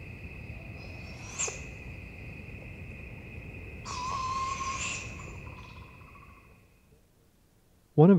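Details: At night, young owls give a harsh, hissing screech lasting about a second and a half after a brief rasp, thought to be begging calls, over a steady insect-like drone and low background rumble.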